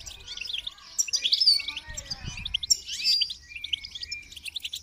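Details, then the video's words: Goldfinch song of quick liquid twitters and thin whistled notes in a dense, high run, with a faint low thump partway through. "Motivating Song of the Goldfinch"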